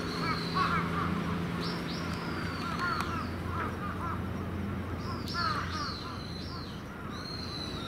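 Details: Evening roost of crows, adults and young together at a hilltop terrace; repeated harsh caws from several birds overlap, some higher and sharper, above a constant low background hum.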